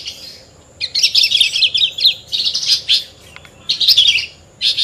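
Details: Horsfield's bush lark, a captive songbird, delivering dense bursts of high chirping and twittering notes separated by brief pauses.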